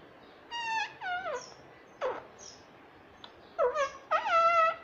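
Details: Pet parrot at home talking nonstop, said to repeat the word mummy; several short nasal, voice-like phrases, some sliding downward, separated by brief pauses, with a sharp click mid-clip.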